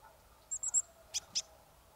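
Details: Marsh tit near Kawęczyn, Poland, uttering three very high, thin notes in quick succession followed by two slightly lower, sharp chip notes, against a quiet background.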